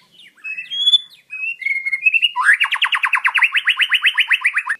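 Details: White-rumped shama, a wild bird from Indonesia whose clear song serves to train caged birds: a few high varied whistles, then a long rapid run of sweeping strokes repeated about five times a second to the end.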